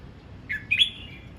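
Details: Red-whiskered bulbul practising its voice in morning song: a brief two-part whistled phrase, a lower note followed by a higher slurred note that trails off, against a soft low hum.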